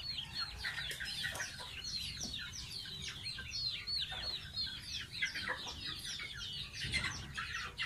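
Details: High, falling peeps pour out almost nonstop from a baby pet goose being bathed, short notes crowding together throughout.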